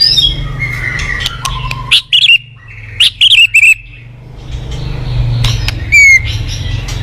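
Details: White-rumped shama morning song used as a lure: scattered bright whistles and short loud chirping bursts separated by pauses, over a steady low mechanical hum.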